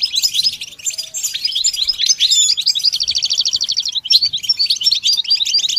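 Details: A goldfinch sings continuously, used as a training song: a jumbled, liquid twitter of high notes, including a fast buzzy trill of evenly repeated notes midway, then more tinkling phrases.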